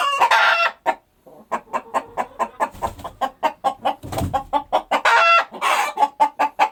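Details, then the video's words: Rooster crowing in a compilation: harmonic crows at the start and near the end, with rapid repeated clucking notes between them and a brief low rumble. "Amazing Rooster Crowing Compilation Plus 2024 Rooster sound effect video"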